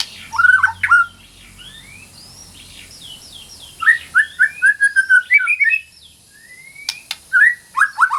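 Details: White-rumped shama, a kept bird, delivering varied whistled phrases: a loud opening burst, a quiet stretch of soft high notes, then a long run of rich rising and falling whistles and sharp clicks.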